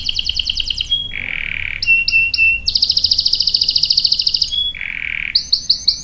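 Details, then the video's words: Lure song of a canary for setting other canaries singing, with long rolls: rapid buzzy trills, a lower smooth rolling phrase, a few clipped whistles, a long fast high trill, another low roll, then spaced bright notes. "PANCINGAN KENARI GACOR cuit cuit bikin NYAUT ikut BUNYI NGEROL PANJANG ¦ CANARY SINGING"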